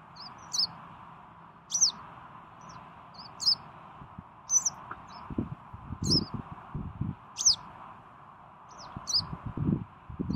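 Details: Western yellow wagtail, 12 June 2018, uttering a steady series of thin, high, slightly rising call notes, some paired, every second or so, against low rustling, scattered thuds and a faint hiss.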